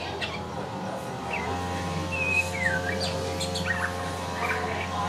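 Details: Two-month-old male white-rumped shama chick starting to learn to sing: soft, scattered whistles and short sliding notes, rising and falling, over a steady low electrical hum.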